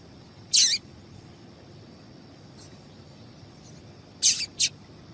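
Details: Calls of a female double-collared seedeater, used to get males singing: a brief bright chirp with a slight trailing note, then after a long pause a quick cluster of three sharp high chirps, with a constant faint tone underneath.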